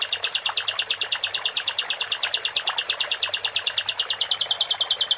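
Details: Steady, very rapid rattling trill from a caged sikatan londo flycatcher, high thin notes pulsing evenly about three times a second without pause, with faint background water, meant as tutor audio to spur other birds into song.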